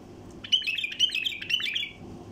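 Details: Wild bulbul giving its flight call for luring passing flocks: a fast, scratchy chatter of tightly packed high notes that holds for about one and a half seconds, then stops, with faint low hum behind.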